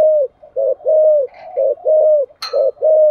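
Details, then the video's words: Spotted dove cooing in the 'giọng thổ' voice style, used to stimulate other doves to coo; deep, mellow paired coos, a short note then a longer arched one, repeated about once a second, with a sharp click midway. "cu gáy thúc gù giọng thổ hay và chuẩn nhất 2023/ tiếng chim cu gáy kích bổi"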